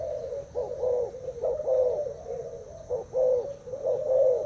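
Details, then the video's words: Caged Thai-type spotted dove, two days in its cage, cooing in a contest against a decoy bird: low, mellow rolling coos in a steady run of short phrases, each ending in a slightly drawn-out note, in a quiet small room. "Cu gáy thailand đấu gù mồi trần"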